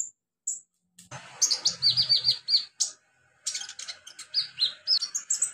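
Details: Olive-backed sunbird in the wild, native habitat, giving a rapid series of high, piercing chirps and downslurred tweets, about three to four notes per second, over faint low background rumble.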